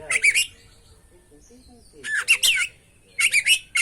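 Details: Oriental magpie-robin (kacer) in full song for a training and trigger recording: three quick clusters of harsh, chattering and whistled notes, each about half a second long, with a faint low twitter in the gaps.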